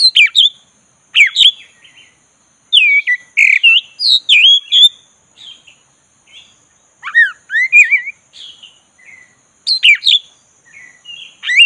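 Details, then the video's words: Black-breasted Oriental magpie-robin delivering a long, easy rolling song to stir an unenthusiastic bird: repeated sharp bursts, curling whistles and scratchy notes in loose bouts with short gaps, a constant faint high whine throughout. "ngeroll santai!!pancing kacer tak bergairah jadi gacor|kacer dada hitam"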